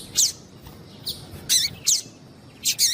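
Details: Female Double-collared Seedeater calling to excite the male; four bright, high, clipped chirps spaced unevenly over a few seconds against quiet background.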